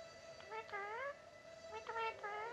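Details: Tame pet Indian ringneck parakeet imitating a cat's meow, saying "miaoon": two drawn-out, nasal, meow-like calls, each bending upward then down, separated by a short pause.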